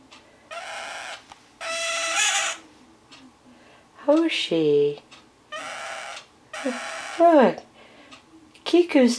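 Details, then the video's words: Captive male scarlet-chested parakeet, with his mate close by, cries regularly; repeated harsh grating squawks, each about a second long, alternate with a woman's gentle talking indoors. "Scarlet Chested being a cry baby"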